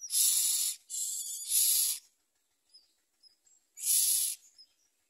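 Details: Common myna chicks at the nest with their mother, giving loud, harsh, hissing rasps about half a second to a second long, three bursts with short pauses between them.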